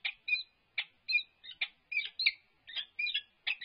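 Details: Peregrine falcon courtship in a nest box at UC Berkeley, April 2022, female and unbanded male; scratchy, whining two-part notes with drawn-out tails, spaced irregularly about a second apart.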